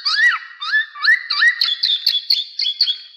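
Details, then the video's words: Black-naped oriole (kepodang emas) lure call for trapping: rising fluty whistles repeated about every half second, turning into a quick series of brighter, higher notes. "suara pikat dan masteran burung kepodang emas"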